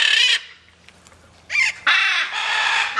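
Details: Free-flight macaws calling: a short harsh squawk, a near-silent pause of over a second, then a brief screech and a longer rasping call to the end.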